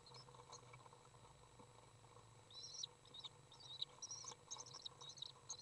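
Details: Common swift nestling in a nest box, fed by a parent on June 18th 2011: quiet hum at first, then bursts of high, squeaky twittering in short clusters during the second half, with a sharp knock.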